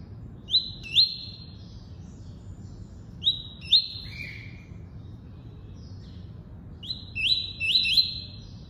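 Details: Double-collared seedeater giving its tuí-tuí song: clear whistled notes with abrupt upward slurs, delivered in pairs and a final run of three, with silent gaps between phrases and a soft low hum.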